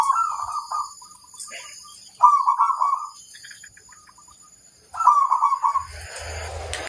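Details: Local crossbred zebra dove singing to prompt other birds to reply: short burbling, trilled phrases repeated about every three seconds with quiet gaps between, ending in a burst of noisy rustling.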